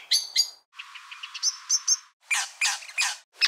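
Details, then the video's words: A Brown Thornbill mimics the hawk alarm calls of other species to deceive nest predators such as the pied currawong: harsh scratchy bursts, then a buzzy rasp with bright whistled chips, then loud churring notes in quick succession. "I eventually realised that it was a Brown Thornbill that was mimicking the calls of a variety of other species."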